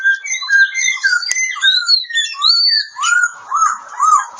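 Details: Oriental magpie-robin (kacer) from Kebumen, Central Java, singing a lively sequence of clear, varied whistles, ending in three loud, arched whistles about half a second apart.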